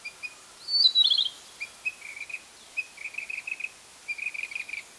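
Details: Male Narcissus flycatcher singing in Hokkaido on 6 July 2014: a bright, high trilled flourish, then runs of short, clipped whistled notes repeated in quick bursts, over faint background hiss.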